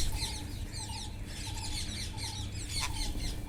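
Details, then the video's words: Wild parrots calling while eating, a natural recording: short scratchy chirps repeated in quick bursts about every half second, with lower whistled notes between them and a steady low rumble underneath. "wild parrots // eating talking // natural sound"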